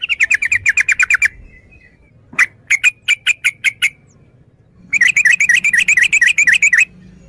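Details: Fast rattling series of chirps from a yellow-vented bulbul, then spaced sharp notes, then a rapid burbling run of warbled notes; low background murmur throughout.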